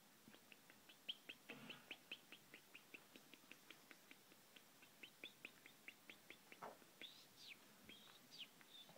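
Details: Moroccan khalwi European goldfinch singing: a fast run of short, bright chirped notes, about two per second, with a few higher twittering and rising notes near the end over a soft background hiss.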